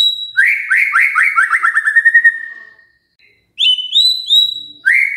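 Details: Magpie-robin song meant to coax birds into singing: a fast series of repeated upslurred whistles that slows and fades, a short silence, then bright rising whistled notes.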